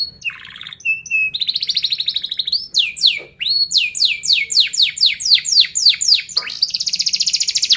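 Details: Canary song meant to draw out and teach young canaries: short buzzy and whistled phrases, a steady trill, a string of sharp downward-sweeping notes repeated about four per second, and a closing buzzy roll.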